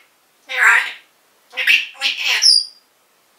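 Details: Caged pet African grey parrot, recorded in 2012, calling out the name of its owner's mother: three raspy, voice-like bursts, a short one and then a longer run of two joined syllables, ending in a brief high whistle.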